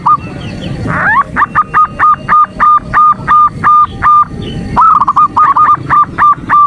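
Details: Female zebra dove calling to excite a male: a rising swoop opens a long train of short clipped coos at even pitch, then a quicker, jumbled run of coos.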